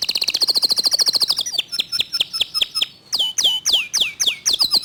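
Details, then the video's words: Local canary in rapid 'tembakan' song, clear-voiced: a fast high trill of about ten notes a second, then a looser series of sharp, downward-sweeping chips with brief pauses. "Kicau Kenari Lokal Tembakan speed rapat Suara Jernih"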